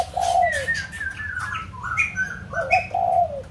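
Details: White-crested laughingthrush from Kbang, Vietnam, singing clear whistled phrases: low slurred notes that fall at the end, with higher whistled notes in between, over a steady low hum.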